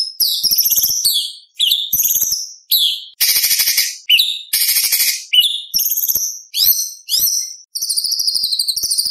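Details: White-rumped shama delivering dense competition-style song with many inserted phrases, used to train young spotted birds: high whistled slurs mixed with loud harsh rattling bursts, each phrase about half a second, nearly nonstop.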